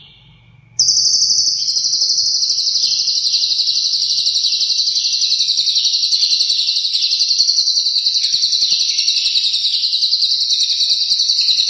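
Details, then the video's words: Lovebird in long Cililin-fill ngekek song, used to tutor and excite competition birds: after a brief quiet start, an unbroken, very high, rapid rattling trill runs for over ten seconds with steady loudness. "Love Bird Ngekek Isian Cililin Panjang"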